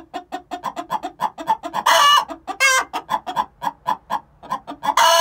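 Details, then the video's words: Six-month-old hens giving the egg song prior to laying, steady quick clucks with a harsh squawk around the middle and another at the very end. "Chicken song before they lay"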